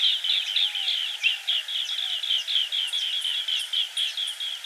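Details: Green bee-eater giving continuous rolling trilled chirps, each short note repeated in a steady stream, with faint sharp higher chips overlapping in the second half and a soft hiss underneath.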